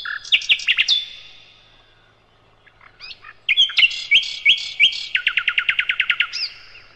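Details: A master song of the sikatan londo, or nightingale: quick slurred whistles, a lull, then rising phrases that turn into a fast, regular trill of repeated notes ending with a single high whistle.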